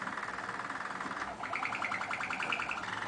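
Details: A Waterslager (Malinois) canary, ring 153-16, sings a fast, rolling run of deep, bubbling, water-like notes, then shifts to brighter tours; he and his brother alternate, one listening while the other sings.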